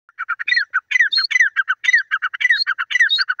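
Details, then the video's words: Grey francolin (teetar), Sindhi type, calling in a fast, unbroken run of harsh, chirping notes. Squeaky upslurred phrases recur about every half second over roughly three seconds, with no other sounds. "grey francolin teetar awaz sindhi patha ki awaz"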